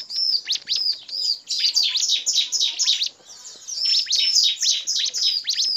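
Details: Bar-winged prinia lure recording combining male 'nembak' calls, female calls and 'ngebren' calls, used to draw in other birds and prompt them to sing: rapid high chirps and downswept notes in dense runs, briefly pausing near three seconds.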